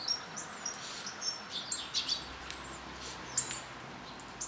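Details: At a bird feeder on an old pig house roof in northern Hungary, a hawfinch flock utters sparse, sharp, very high clicking calls and brief thin notes over a low steady background hum.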